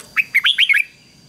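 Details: A single ché phrase from a decoy Red-whiskered bulbul luring wild birds: five rapid, bright, slurred whistled notes in under a second, rising and falling, then quiet with a faint high tone behind.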